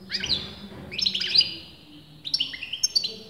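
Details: Continuous song of a European goldfinch whose sex breeders disagreed on: short bursts of bright twittering and rising slurred notes, separated by brief gaps, somewhat quieter.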